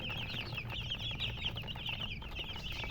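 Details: Coloured baby chicks chirping: a dense chorus of high, quick, overlapping peeps, many falling in pitch, with a low rumble beneath.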